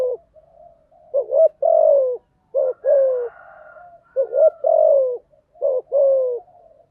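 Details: Spotted dove cooing to prompt newly caught doves to sing; phrases of a clipped doubled note and a sustained downward coo come about every one and a half seconds over soft background cooing.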